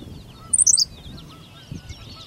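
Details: A Henslow's sparrow in Goose Lake Prairie sings its tiny, high, hiccup-like song, a quick cluster of thin notes under half a second long, with faint distant birds and a low rumble behind.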